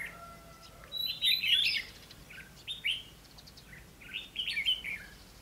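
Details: Red-whiskered bulbul used as a decoy in a fighting trap, 20 May 2016; three separate bursts of lively warbled notes, each a quick sweep up and down, with quiet gaps between.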